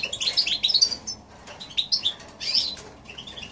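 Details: High, sweet twitters from a goldfinch crossed with a canary, January 2016, delivered as short chattering phrases with gaps of about half a second between them.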